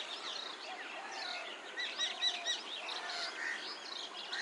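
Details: Common mynas in a tree chatter busily in an overlapping jumble of squeaky whistles, chirps and harsh notes, several birds calling at once with no pause.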